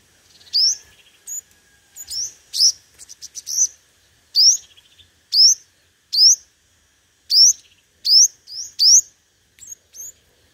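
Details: Decoy five-coloured sunbird ('hút mật 5 màu') in competitive song: separate thin, rising whistled notes about once a second, with a brief fluttering twitter in between, clean and high-pitched.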